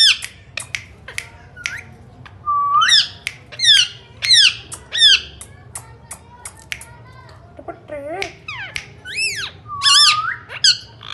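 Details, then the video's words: Indian ringneck parakeet, a talking pet parrot, pouring out rapid clicks and harsh, buzzy upswept squawks, with a lower wavering whine midway and whistled slurs near the end. "Talking parrots real voice ringneck"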